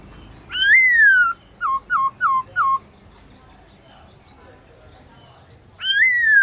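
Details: Black-throated laughingthrush (Garrulax chinensis), kept as a songbird, singing at midday in forest-voice style: a long rich whistle falling gently, four short clipped dropping notes in quick succession, a pause, then another long descending whistle.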